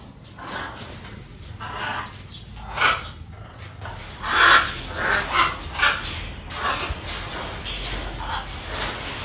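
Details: A pair of blue-throated macaws, also called Caninde or Wagler's macaw, foraging. Harsh, raspy squawks come in short bursts, with a run of louder, rapid squawks near the middle and quieter calls before and after.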